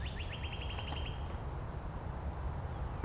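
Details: Northern Cardinal in Angrignon Park trading song variants with neighbouring cardinals; a rapid series of short upward-slurred whistles runs for about a second, then holds a steady whistled tone, over strong low rumbling background noise.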